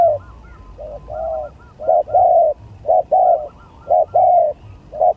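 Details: Spotted dove contest song, gagap, tindan or klantan style: rhythmic mellow cooing, short notes alternating with longer rounded coos about once a second, with faint soft higher notes between phrases.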